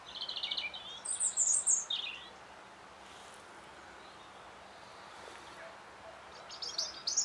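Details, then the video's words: European robin singing in spring, March 2014: a high, tinkling, warbled phrase with squeaky trills opens the recording, then a pause of hiss before another short high burst of notes at the end. "Robin Redbreast singing for Spring"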